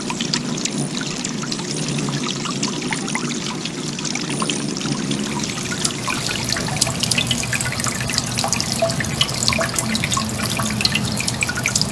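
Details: Steady trickling, pouring water with small drips and clicks, like a running tap filling a sink, and no animal voice.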